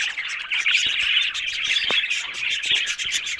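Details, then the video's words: Budgerigars giving continuous dense, scratchy warbling chatter with quick chirps and squeaks overlapping throughout, a few soft clicks in the background. "Amazing Talking Happy Budgies Sounds"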